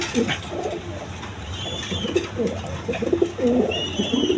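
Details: Several pigeons cooing on a farm where they nest with eggs and chicks: repeated deep, burbling coos. Thin, higher chirps sound now and then, over an indoor hum.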